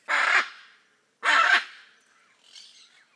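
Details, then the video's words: Two loud, rasping squawks about a second apart from a Hyacinth macaw, the huge parrot of the Pantanal and other parts of Brazil, followed by a faint softer call. "The raucous sounds of Hyacinth macaws"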